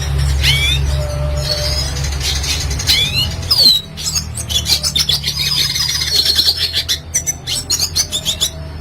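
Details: Red siskin (Spinus cucullatus), played as a master song for training cage birds, sings a fast, twittering song of high, buzzy trills and sharp rising and falling whistles over a steady low hum.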